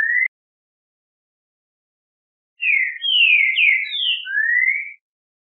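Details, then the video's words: Green-winged saltator song, used to make a bird sing: the brief tail of one whistled note, a pause of over two seconds, then a full phrase of four falling slurred whistles and a long rising whistle. "O MELHOR CANTO PARA ESQUENTAR QUALQUER TRINCA FERRO"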